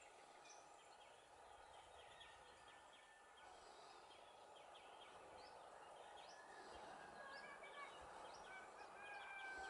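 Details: A family of European greenfinches in Valleseco, Gran Canaria, 23 June 2019, call together in rapid, overlapping chirps and twitters, with a few higher whistled notes near the end, over a steady hiss.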